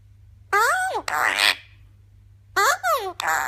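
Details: Eclectus parrot speaking two short phrases in a nasal, voice-like tone, each made of a wavering syllable followed by a rougher, breathier one, separated by a second and a half of quiet.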